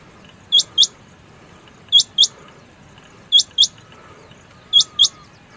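A rain quail gives sharp, high, metallic double notes, 'whit-whit', with each pair repeated about every one and a half seconds over a quiet background.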